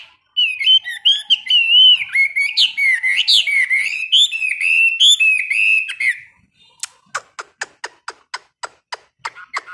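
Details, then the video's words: A seasoned caged Chinese hwamei sings during daily 15-minute morning training. A strong, varied warble lasts about six seconds. After it comes a steady series of about a dozen sharp clicking ticks, spaced under a second apart. "Luyện hót cho họa mi mỗi ngày 15 phút vào buổi sáng đối với chim chơi giàn cứng"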